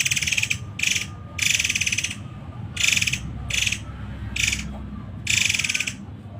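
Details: Muray Air masteran song, 'tembakan rapat' style: loud, harsh chattering rattles, some drawn out nearly a second, delivered in a tight series of about seven bursts over a low rumbling background.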